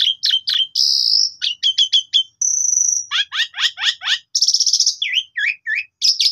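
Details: Energetic Asian pied starling song for training other birds: clipped chattering notes, a steady high whistle held half a second, a series of rough descending rasps, then looping V-shaped whistles, all clear and uninterrupted by other sounds.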